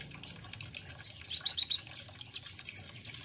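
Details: Olive-backed sunbird (konin) giving sharp, very high arched chirps in pairs, separated by brief pauses, over a steady low background hum.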